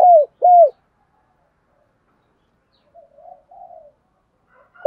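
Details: Spotted dove decoy cooing steadily to lure wild birds; two loud downslurred hoots at the start, quiet softer murmuring coos later, and a final note beginning at the end.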